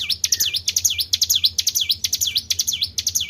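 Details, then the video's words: Lure call of a Tribel bird: fast series of high, swooping whistles that fall and climb back, about two per second, steady and evenly spaced over a faint low hum. "PANCING BUNYI BURUNG TRIBEL"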